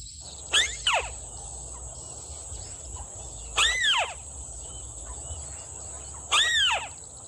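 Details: Red-legged crake, locally called sintar api or tikusan mata merah, calling during a bird-trapping session: three loud, arched, downslurred notes spaced about three seconds apart, with steady high background hiss.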